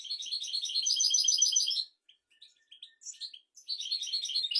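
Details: European goldfinch singing a royal-style song meant to teach goldfinches and canaries: dense, fast tinkling twitter with buzzy trills, a pause filled with sparse chirps, then another bright twittering burst.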